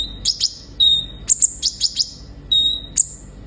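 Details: Sunbird song for prompting caged birds: short level whistles alternate with bursts of two to four sharp, very high chirps, the pattern repeating several times.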